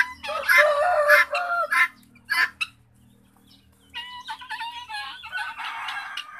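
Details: Harsh, grating cries from kept guinea fowl, housed as ten in an enclosure plus young birds. A loud chattering burst comes first, then a short pause, then a fresh run of rasping overlapping calls from several birds.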